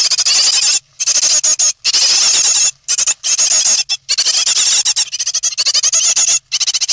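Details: Three great tit nestlings near fledging, on 9 May 2017, keep up a high, hissing, squealing chorus of overlapping begging calls, broken by a few short pauses.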